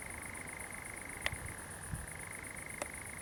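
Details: At night in a Biscay pine plantation near Zamudio, Txorierri, on 7 July 2020, a common nightjar suddenly churrs: a continuous dry reeling trill with two brief sharp clicks over it.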